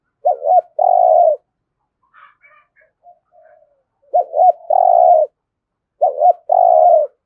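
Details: Vietnamese spotted dove in Đồng Nai doing contest cooing, local voice style: three loud phrases of stuttered notes and a drawn-out coo, with faint higher chirps from another bird in the gap.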